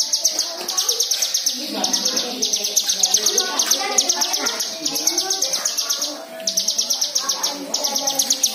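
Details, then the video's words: Lure recording of white-eye song meant to make caged white-eyes start singing: bursts of fast, high, tinkling chirps lasting one to two seconds, separated by short gaps, with a murmur of lower warbling beneath. "Pancingan Cigun Agar Bunyi Dengan Ful fariasi Isian Mewah"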